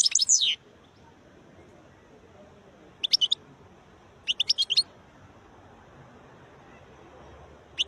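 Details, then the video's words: Wild European goldfinch producing short, separate bursts of high, clipped twittering notes, roughly one every one to two seconds at first and then sparser, with quiet stretches between. "تغريد حسون خلاوي نوطات جميلة"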